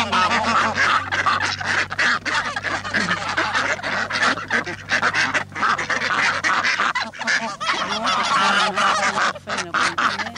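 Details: A busy chorus of geese, ducks, coots and other waterbirds at Laguna de los Patos, Lo Barnechea, Chile: overlapping honking and quacking from many birds at once, continuous and harsh, with a steady low hum beneath.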